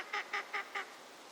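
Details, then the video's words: A wintering Northern Shoveler (Spatula clypeata) on a park pond at Junsai-ike Ryokuchi, Chiba, Japan, in March 2025 gives four short, nasal, reedy notes at about five per second, then falls silent against a faint hiss. "ハシビロガモ鳴き声 (Spatula clypeata) - カモの鳴き声 / Northern shoveler sounds"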